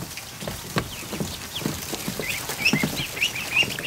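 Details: Newly hatched ducklings, over a hundred of them, crowded into a barn kiddie pool in the afternoon; thin, high peeps build toward the end over soft water and movement noise.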